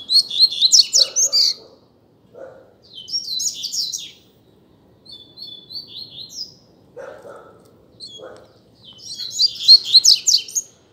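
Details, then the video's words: Coleiro, the double-collared seedeater, in a singing contest between two birds: short, rapid phrases of high, sharp, tumbling notes repeated every few seconds, with a few whistled slurs between them and some faint low knocks. "Coleiro Disputa de Canto"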